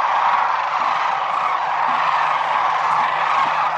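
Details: Wintering Sandhill cranes at Whitewater Draw Wildlife Area, Arizona: a dense flock chorus of overlapping rolling, rattling calls forms a continuous wall of sound, with a faint steady low hum beneath.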